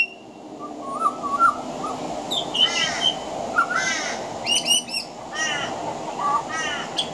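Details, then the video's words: Pied butcherbird singing on a veranda, weaving mimicry of other Australian birds into its song: clear whistled notes near one kilohertz mixed with harsher chattering and buzzy phrases, several bursts over seven seconds against steady background hiss. "Mimicry of the pied butcherbird"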